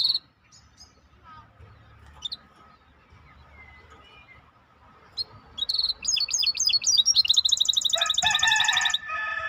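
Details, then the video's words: Scattered faint chirps give way to a maestro bird's loud song: rapid twittering notes building into a long, fast, evenly repeated high trill, then rich buzzy chattering phrases at the end. "احلى تغريد مباشر لطائر المايسترو 🐦The best direct tweet of the Maestro bird"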